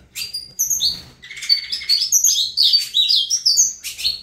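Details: Dense, high-pitched saffron finch song of quick whistled slurs and chirps strung together in rapid succession, loud and bright, with notes sliding up and down between short accents.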